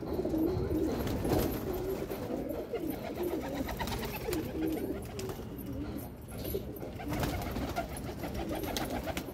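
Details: Red desi highflyer pigeons indoors keep up dense, low, rolling cooing from several birds, with brief rustling bursts and faint background clatter.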